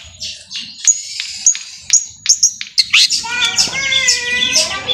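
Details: Long-tailed shrike of the Pastol type singing vigorously to rouse other shrikes into song: scattered sharp high chips and short notes, then a run of rich warbled, harmonic phrases in the last two seconds.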